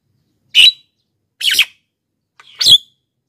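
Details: Javan myna, used as a lure and tutor for wild birds and lazy singers: three loud, harsh, scratchy notes about a second apart, each a short rasping burst, in a quiet setting.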